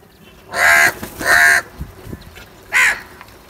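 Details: Crow giving two long harsh caws, then a shorter third caw after a pause, with light knocking sounds between.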